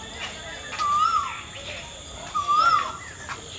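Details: Asian koel singing: two clear whistled notes, each sliding upward, about one and a half seconds apart, over a steady background hiss.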